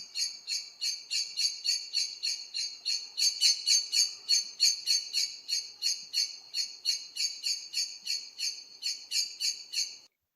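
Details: A Common Blackbird gives a thin, high, clipped monosyllable, repeated about three times a second in a steady run against a quiet background, a call it makes when about to take flight.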